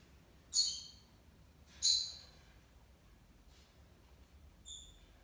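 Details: Pet monk parakeet (Quaker parrot) kept indoors, a mischievous bird that wrecked a window blind. Two short, sharp, high-pitched calls about a second apart, followed by a fainter third note, in an otherwise quiet room.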